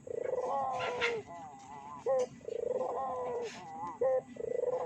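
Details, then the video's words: Lure recording of Barbary doves meant to provoke rivals. Long wavering, warbling coos alternate with brief bright clipped notes. The doves seem to overlap, over a constant faint electronic hum. "PANCINGAN BURUNG PUTER GACOR!!! BURUNG PUTER MANA SAJA PASTI EMOSI"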